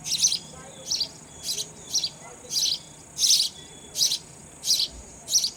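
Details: Sparrow chicks being fed raw insects by a parent bird, giving short bright high-pitched chirping bursts, about eight clusters repeated roughly every half second over a steady high hiss.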